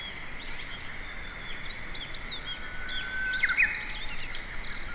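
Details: A grey wagtail calls in an empty parking lot: a quick run of about nine thin, very high ticking notes, then scattered sharp chirps and a short lower whistle, over steady background hiss.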